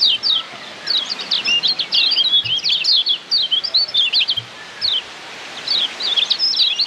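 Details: Lombok yellow white-eye, a tutor song used to train caged birds; rapid bright chirping and twittering phrases, high and busy, delivered in bursts with short pauses, over light background hiss.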